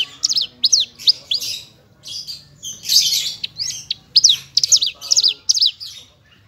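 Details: Branjangan of the parva form in a full isian masteran: pairs of sharp down-slurred high whistles, a scratchy buzzy middle passage, then quick zigzag whistled notes.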